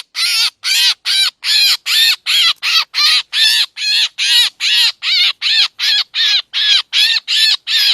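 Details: Scratchy, hoarse drongo calls meant as a trapping lure, evenly spaced and repeated about two and a half times per second, loud and clean without background noise.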